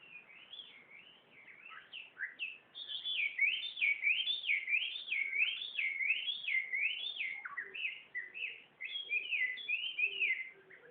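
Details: Wild bird singing a long, fluty warble of clear whistled notes that wave up and down in a rapid, even zigzag, about one and a half notes per second, then break into shorter varied phrases.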